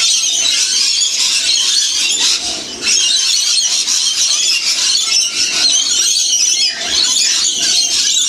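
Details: Wild lorikeets in St Clair, Australia, eating sunflower seeds and bread with honey in winter; shrill, rasping screeches overlap continuously, with a short dip in the din just before the three-second mark.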